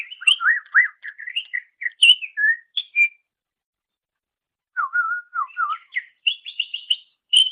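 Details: Master song of a greater green leafbird for training songbirds, with dense varied whistles and slurs, a pause of nearly two seconds, then rising notes and a fast series of repeated chirps.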